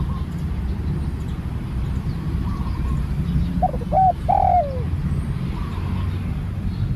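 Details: Spotted dove, a new bird out for training, giving one short phrase of two quick hooked coos and a longer, drawn-out falling coo against a constant deep rumbling background.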